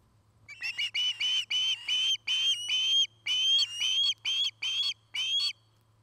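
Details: At a Charlo, Montana nest watched by camera in 2018, an Osprey gives about eleven piercing whistled notes in quick succession, each slightly upslurred, over a low electrical hum.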